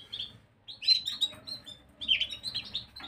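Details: Gloster canary, recorded 9 January 2023, delivering two brief bursts of high, sweet chirps and twitters after a short silence, against a soft low hum.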